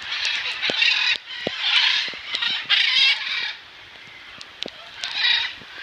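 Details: Several rescued macaws bathing in the rain at a sanctuary give rough, grating squawks, some drawn out and merging together, then a quieter stretch before one more short burst near the end.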